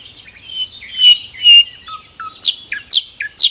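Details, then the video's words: Wild sikatan londo flycatcher in energetic song, a tutoring recording: thin drawn-out whistles give way to short lower notes, then loud sharp high downswept chips repeated about every half second. "Masteran kicau burung sikatan londo gacor di alam liar"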